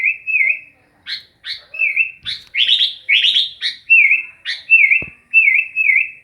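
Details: Sooty-headed bulbul giving a run of wavering, slurred whistled phrases broken by clusters of crisp high chirps, loud and close against a silent background, with one soft low tap.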